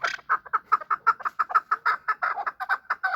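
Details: Chukar partridges during a fight give a steady series of clipped chuck notes, about five per second, evenly repeated and mid-pitched, with no other clear sounds.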